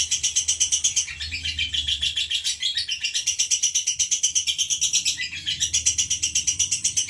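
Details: Female lovebird of the fighter type, kept as a pet: a nonstop, shrill, high-pitched chatter of pulsed notes, nearly three per second, with a faint low hum underneath.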